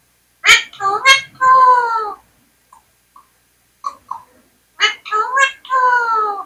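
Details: Indian parrot mimics words indoors: two quick syllables and a long nasal word, a pause with soft clicks, then the same three-part phrase repeated clearly.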